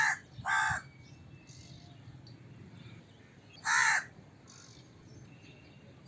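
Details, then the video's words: Crow cawing: rough, hoarse single caws separated by a pause of about three seconds over a low steady background. "Crow Cawing Sound Effect, Voice of Crow, Crow Call Sounds, Crow Calling Sound, Crow Caw, Crow Bird"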